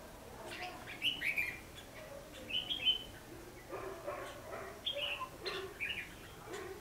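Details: Fighting song of a red-whiskered bulbul used as a lure in trapping, recorded 14 December 2015: quick chirpy warbled phrases repeated in bursts, with fainter lower calls and background noise.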